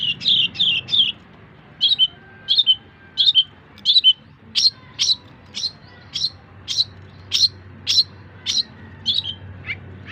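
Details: Long-tailed shrike song used as tutor material for other songbirds: high, sharp chirps, first in quick pairs, then single clipped notes about every half second, over a steady low hum.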